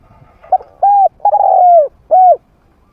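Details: Spotted dove kept as a trained caller with a medium voice, played to lure wild doves to fight. Soft lead note, a rounded coo, a long trilling coo falling away, then a single clean coo.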